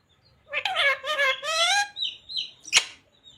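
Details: Talking green parrot with phrases like 'radhe radhe', 'mithu beta' and 'sita ram'; a run of three nasal speech-like syllables, followed by soft high chirps and a sharp click or flutter.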